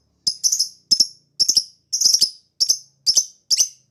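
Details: Lovebird giving ngekek-style chatter, meant to set off other lovebirds singing: harsh, high, clipped notes in pairs and triplets, bunched irregularly about twice a second, nothing else audible.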